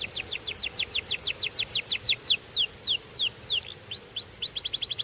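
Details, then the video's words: Belgian canary song made of a steady series of high downward-slurred whistles, about four a second, slowing slightly midway before shifting to brighter, quicker rising and falling notes. "Belgian Canary Singing"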